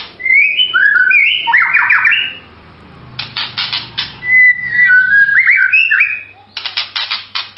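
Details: White-rumped shama song of clear whistled phrases, rising and falling, alternating with bursts of harsh broadband rattling notes; a faint low hum underneath.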